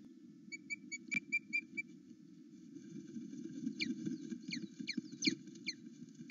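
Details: Osprey at a nest on a live cam at Loch Arkaig, in the morning between eight and nine, calling excitedly as its mate returns: a run of short whistled pips, then sharp downslurred chirps repeated about twice a second over a low steady hum.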